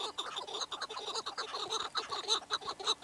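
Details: Chukar partridge calling in a busy series of hoarse, clucking chuk notes, densely packed and overlapping, with rich harmonics and an uneven rhythm.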